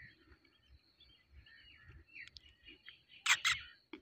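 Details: A male pet rose-ringed parakeet gives soft, scratchy chatter, then two loud, harsh screeches in quick succession and a final rasping squawk.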